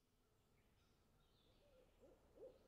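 Tawny owl giving a few soft, low hoots that grow slightly louder toward the end, against a quiet background hiss.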